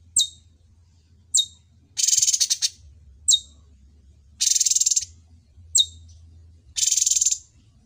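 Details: Cucak cungkok, a trained bird noted for its well-mastered song, alternates sharp, high, descending chip notes with buzzy, rattling trills of about half a second, three of each over eight seconds, with low hum underneath.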